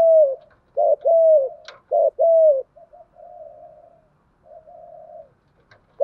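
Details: Caged decoy spotted dove calling nonstop in thúc gù style to lure wild doves: a short coo and a long, slightly falling coo, repeated about once a second, with soft low murmuring coos between phrases.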